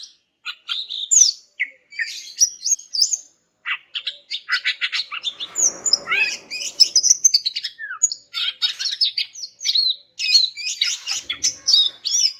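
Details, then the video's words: Greater green leafbird (cucak ijo) female, in heat and calling males, to set silent males singing: a long, dense, nonstop stream of varied high chirps, slurs and trills with brief gaps. "BURUNG CUCAK IJO JANTAN MACET BAKAL NYAUT GACOR DENGAR INI"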